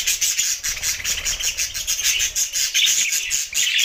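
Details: Several budgerigars chattering at once, producing a steady wash of shrill, buzzy chirps repeated in quick pulses throughout.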